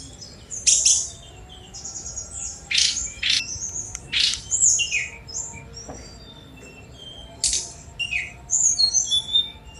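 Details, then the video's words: Sunda robin singing in bursts of high, sharp notes and quick whistled slurs, clustered near the start, middle and end, with quiet gaps between phrases and a faint low hum beneath. "Tledekan Gunung Speed Mewah 4K"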